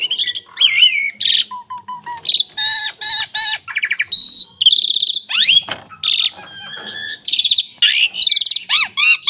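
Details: A long, highly varied song from an Asian pied starling: sweeping whistles, harsh rasping bursts, short steady tones and rising slurs follow one another with barely a pause.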